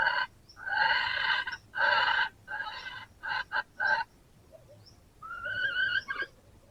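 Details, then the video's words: Red junglefowl crowing back at a decoy rooster during a hunting session. Strong, harmonic, broken crow phrases with abrupt gaps are followed by a fainter, more distant rising crow near the end. "ต่อไก่ป่า คอนแรกยิงบ่อถืก คอน2ขันตอบบ่เข้า"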